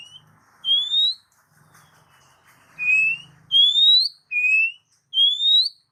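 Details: Oriental magpie-robin whistles meant to stimulate pet magpie-robins: clean rising notes alternating with shorter lower whistles, five phrases over a faint low background hum.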